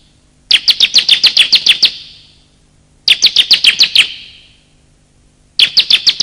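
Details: Lure recording of male and female bar-winged prinias for prompting silent birds and catching wild ones: three bursts of roughly nine piercing, evenly spaced chirps separated by pauses, with a reverberant tail.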